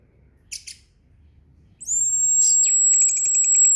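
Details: Orange-headed thrush: two brief high notes after quiet, then a sustained piercing whistle held to the end, overlaid with quick pulsed chips.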